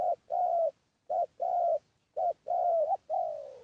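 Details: Decoy spotted dove used to lure wild doves, giving low mellow coos in short-then-long pairs, a brief note followed by a drawn-out slightly falling coo, repeated with brief pauses; no other sounds.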